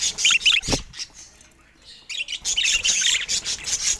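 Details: Pet budgerigars of rare colour mutations chatter in a flock: dense bursts of high, scratchy warbles and chirps, broken by a short quiet gap in the middle before the busy twittering resumes.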